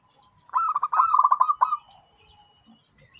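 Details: A zebra dove sings one burst of quick, pulsed cooing notes that roll together for about a second, then tail off into soft, faint cooing.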